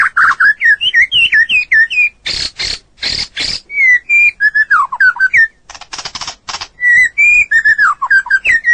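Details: Long training song of a white-rumped shama for tutoring other birds: varied fluty whistled phrases, rising and falling, broken by harsh broadband rattling bursts, delivered rapidly without long pauses.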